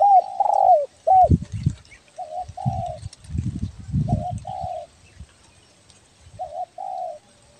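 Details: Spotted dove, tekukur belah dada from Kepri, calling vigorously for bird luring: repeated phrases of a short doubled coo and a longer steady coo, mixed with loud low thumping handling noises in the middle.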